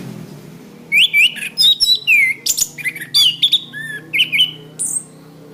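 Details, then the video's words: Orange-headed thrush singing a varied, fast phrase for training cage birds: mixed whistles, slurred notes and squeaky chips, about fifteen notes in four seconds, some high and thin, over a faint low hum. "Suara Bunyi Masteran Anis Kembang"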